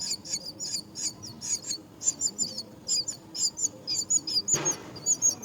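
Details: At a myna nest where adults tend their young, high, squeaky chirps repeat steadily in quick pairs and triplets, with one sharp broadband knock midway.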